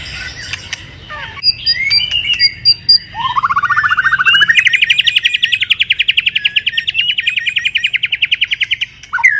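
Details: Moulting white-rumped shama giving its pipe-tobacco song style: sparse whistles and chirps, then a long rapid trill that climbs steadily in pitch and runs on for about five seconds before stopping abruptly.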